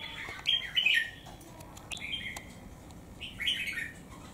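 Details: A three-month-caged wild-caught bird with one white claw competes in song with a strong rival; three spaced bursts of bright, slurred warbling, with a few clicks in the background.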